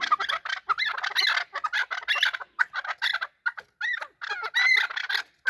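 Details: Chukar partridges fighting and calling: loud, rasping, overlapping chuckling notes in fast bursts with short pauses.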